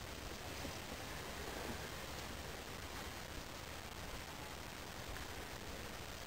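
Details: Steady broadband hiss fills the recording from start to end, with no animal voice heard.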